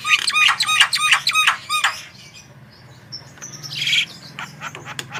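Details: Javan myna singing as a prompt for other birds: quick burst of ringing, bell-like arched notes, then quieter scattered chips and one loud buzzy rasp.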